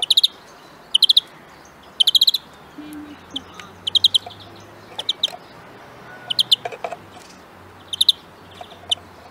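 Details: Greenfinch singing in short rapid trill bursts of clipped ringing notes, repeated about once a second early on, then sparser, with scattered soft chirps and a low steady hum underneath.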